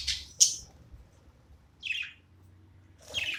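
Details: Playing pet budgie giving scattered sharp chirps: two quick squeaky notes, a pause, a descending chirp, another pause, then a final scratchy call.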